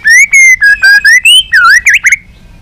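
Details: White-rumped shama practising competitive song with many voices: a row of clear whistled notes, some steady and some slurred, then a deep swooping note and two quick looping whistles.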